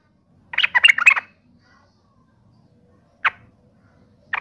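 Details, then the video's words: Yellow-vented bulbul calling to goad other bulbuls into angry replies: a burst of harsh, squawky, jumbled notes lasting under a second, then single sharp notes after long pauses. "7 macam TOP SUARA trucukan gacor seperti ini dijamin bikin trucuk manapun nyaut emosi ngamuk"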